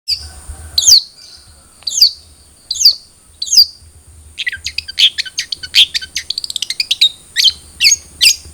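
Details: Spotted long-tailed shrike song played to prompt a captive bird to sing: sharp downslurred high notes about once a second, then a rapid run of clipped chirps, over a steady high whine and low hum.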